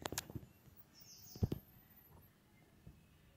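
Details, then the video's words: A woodpecker pecks on a glass window in uneven hard knocks: a quick burst of about five, then a close pair, then one lone tap; a faint high chirp sounds midway. "Woodpecker pecking on glass window"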